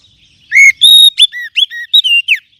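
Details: Oriental magpie-robin pancingan: strong, clean whistles in a quick phrase, a rising note, a sustained level tone, then several short slurred notes, clear and unaccompanied.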